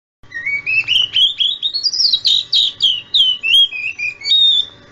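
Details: Oriental magpie-robin song used as a training lure to make young magpie-robins answer: a continuous run of clear whistled notes climbing steadily in pitch, then falling back and wavering, with a faint low hum beneath.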